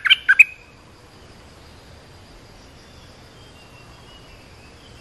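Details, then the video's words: Olive-winged bulbul call used for teaching young birds and attracting wild ones: one quick three-note bubbly phrase at the start, then near silence until a single sharp note at the very end. "เสียงนกดอกแตงEp.248 เปิดหัดลูกเสอ ลูกใบ้ เสียงเรียกนกป่า Suara pikat merbah lekir gacor"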